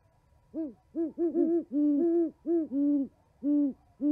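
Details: Owls chatting at an osprey nest in Charlo, Montana, on 11 January 2020; a steady stream of about ten low, mellow hoots, roughly ninety a minute, some long and overlapping as two birds answer each other.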